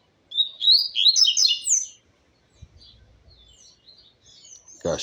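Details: Double-collared seedeater song recorded a little after midday: a fast, bright burst of high twittering and slurred chirps lasting under two seconds, followed by near silence with faint distant notes and a brief voice at the end.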